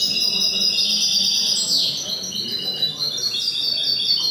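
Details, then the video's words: Continuous rapid twittering and jingling song from a European goldfinch or goldfinch hybrid at an indoor song contest in Cádiz, Spain, on 21 April 2019, with a brief falling slur mid-phrase over a faint low murmur of the room. "VI CONCURSO DE SALON DE CANTO DE FRINGILIDOS. MIXTOS JILGUEROS"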